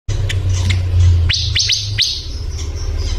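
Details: Male pancawarna bird singing energetically: quick upward-sweeping whistled notes in a burst of three or four, over loud steady low rumbling noise.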